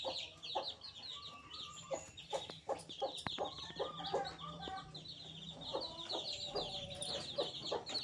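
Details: Day-5 chicken chicks peep constantly, thin bright chirps piling over one another, joined by lower short notes and a few sharp clicks or taps.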